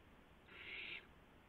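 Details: Owl at a nest around midnight on March 19, 2016, while adults deliver a gopher and mice to owlets: one harsh, breathy hiss lasting about half a second, with a quiet background.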